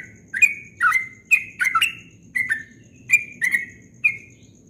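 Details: Dawn ropel song of a Yellow-vented bulbul: eight or so bright, whistled notes in quick succession, some doubled, each with a short downward slur, rung out cleanly with little background noise.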